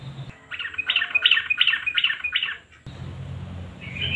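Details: Sooty-headed bulbul 'nguklik' song serving as a lure for mute birds: a tight series of about eight rapid, buzzy, chattering notes, then an abrupt cut into low hum and a final rising note.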